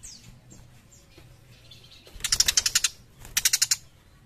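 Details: Young tiger shrike singing actively, two bursts of harsh, rapid, scratchy pulses, about eight notes each, after a quiet start with a few faint high swept chirps.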